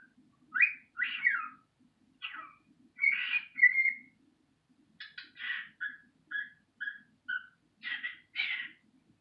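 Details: A young cockatiel, described as a baby bird and back to his old self again, gives a run of chirps, short whistles and buzzy, slurred notes.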